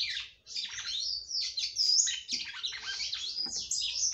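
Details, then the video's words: A singing female red-cowled cardinal, heard trying to stimulate her male, gives a dense, unbroken run of high twittering and slurred whistled notes with brief dips between phrases. "FÊMEA DE GALO DE CAMPINA CANTANDO MUITO PRA FOGUEAR SEU CAMPINA."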